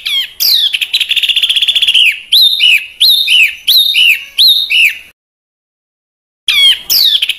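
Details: Small bird (burcil) singing harsh besetan phrases used to train caged home and contest birds; a rapid buzzy trill, then arched whistled notes repeated about once a second, silence, and a loud sweeping note.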